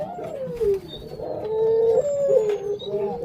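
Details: Puter pelung dove hen showing signs of wanting to lay eggs, kept as a pet: a long, low, drawn-out coo that steps up and down in pitch over about three seconds, above a steady background hum.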